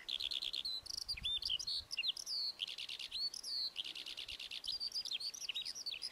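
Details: Lark in full song: rapid, high warbling runs of trills, upslurred whistles and chirps, pouring out almost without pause against a faint hiss.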